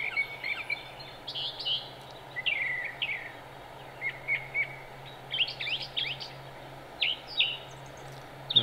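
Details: Wild Brown Thrasher singing in Cabarrus County, North Carolina, United States, on 13 March 2017: a varied string of short, sharp, often paired phrases, some buzzy and some whistled, spaced with brief pauses over a steady low hum.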